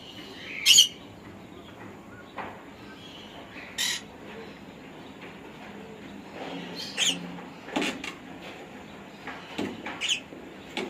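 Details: Pet conure giving short, harsh broadband squawks, scattered irregularly with quiet gaps and a few louder bursts, over a steady low indoor hum.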